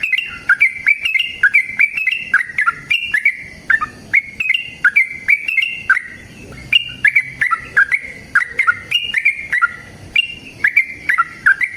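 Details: Energetic, fighting-style song of a yellow-vented bulbul, meant to coax caged young or untrained bulbuls into answering: rapid bubbly phrases of clear whistled notes, each flicking down then up, repeated densely with only brief gaps.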